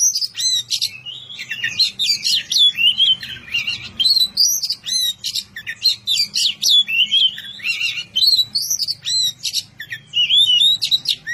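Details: White-rumped shama, called kacer, in sustained vigorous song: rapid sequences of sharp high whistles, slurred rising notes and harsh chattering bursts, repeated in short clusters, with a steady low hum beneath.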